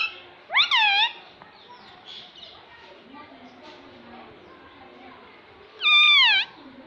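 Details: Pet parrot talking, said to repeat "mummy mummy": two loud, bent, harmonic utterances, one near the start and one near the end, separated by a long stretch of quiet indoor background murmur.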